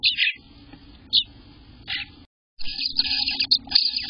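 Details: Eastern bluebird nestlings calling from the nest on day 18 in June: brief raspy high bursts spaced apart, then a dense run of overlapping scratchy chirps, with a low hum underneath.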